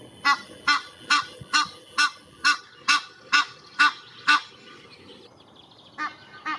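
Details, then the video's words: Egyptian goose family with gosling in Parc de Monsalut, Cestas, France, spring 2023; a rapid run of nine strong nasal honks about two per second, a pause, then two more honks. "Ouette d'Egypte, famille, cri"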